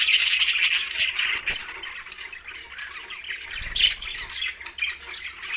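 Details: Green budgerigars squawking and chirping rapidly, about four short notes a second, in a harsh, busy, high chatter.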